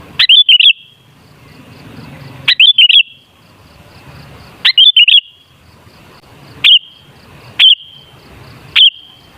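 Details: Sooty-headed bulbul song meant as a lure to get bulbuls singing: brief warbling three-note phrases alternating with single sharp notes trailing into a steady whistle, about every one to two seconds, clean and loud.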